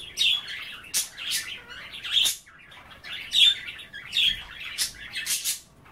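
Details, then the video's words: Budgies kept as pets chatter while nibbling kale and water at bath time. Short warbled notes and crisp clicks alternate in lively, uneven bursts. "A day in the life of a Budgie - kale bath and chattering"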